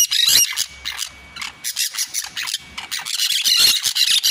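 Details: Green parakeets calling at full volume, a dense run of harsh, high squealing screeches and squawks, overlapping and repeated rapidly in bursts with only brief pauses between them.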